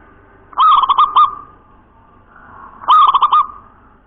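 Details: Local zebra dove (perkutut) in the 'nropel cowong gowong bening' voice style: two bursts of rapid staccato cooing, each four to five clear ringing notes quickly rolled together, separated by about two seconds of quiet with a faint steady background hum.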